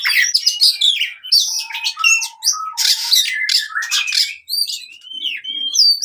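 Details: Oriental magpie-robin singing a fighting song meant to train birds that have gone quiet: fast mixed medley of scratchy buzzes, sweeping whistles and short mid-pitched notes, ending in sparse high rising whistles.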